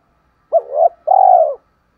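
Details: Spotted dove cooing to entice wild doves to answer and come in. One clear phrase of a short, throaty two-part note, then a brief gap and a long, steady, mellow coo lasting about half a second.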